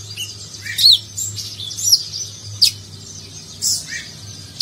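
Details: Van Hasselt's sunbird, known as konin, singing in the nagen style for training contest birds; spaced, thin, high slurred notes and sharp clicks, roughly one a second, with a faint low hum beneath.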